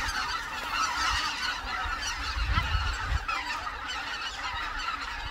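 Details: Greater white-fronted geese wintering on the Cheorwon plain, Korean peninsula; a busy mass of high, laughing honks from many birds, with brief low bumps around the middle.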